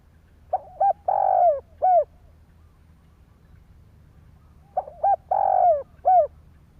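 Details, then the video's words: Cooing spotted dove used to excite other doves, giving two matching phrases about four seconds apart, each short notes, a long sliding coo and a closing arched hoot. "Tiếng chim cu gáy kích bổi"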